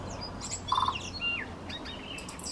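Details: Tui vocalizing in a cabbage tree about 4 m up above a suburban driveway near a native forest corridor: a rapid jumble of varied whistles, quick rising and falling sweeps and short pure notes, with a brief burbling phrase in the middle.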